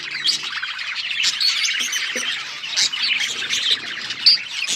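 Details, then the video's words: Budgie parrots chattering as a group, continuous busy warbling with scratchy squawks and bright chirps layered over one another. "Beautiful budgies parrot chirping sounds"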